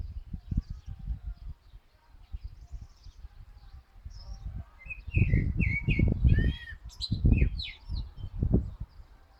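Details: Common blackbird singing mellow slurred whistles and a high, scratchy twitter in the middle of the clip, partly masked by loud low rumbling and bumping noise throughout.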